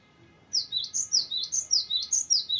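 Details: Cinereous tit (gelatik batu) in a long varied rolling song: an even run of ringing high double notes, about four each second, loud and continuous after a short silence.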